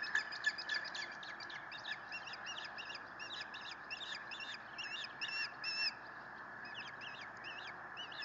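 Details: Osprey nest at Lake Murray at dawn, 5:55 am on 1 May 2018, as an adult brings in fish and tries to feed sleepy chicks; rapid series of thin, high chirping calls over steady background hiss.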